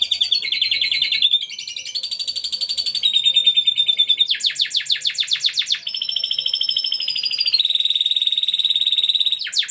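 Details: Caged canary singing lovebird-like phrases, kept as a song tutor for training Javan bushlarks; varied loud song of rapid buzzy trills, sustained whistled notes around high pitch, and fast repeated chattering segments changing every second or two, continuous throughout.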